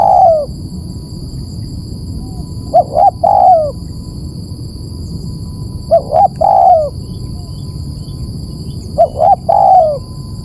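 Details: Repeated spotted dove coos for luring birds: phrases about every three seconds, each two brief notes and a longer sliding coo, with a soft continuous high-pitched whine in the background.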